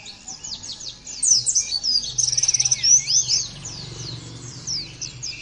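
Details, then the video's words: Oriental white-eye song used as a training track to prompt birds to sing loudly: high, rapid twittering notes with slurred whistles and a fast buzzy trill near the middle. A low hum sits underneath. "terapi pleci bikin nembak mudah di tiru langsung ngotot bunyi"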